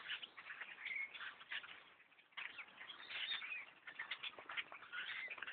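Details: Huge flock of blackbirds overtaking a bow hunter's tree stand: a continuous roar of countless chattering, squeaking and creaking calls, surging louder and softer in waves, with a short whistled note near the start.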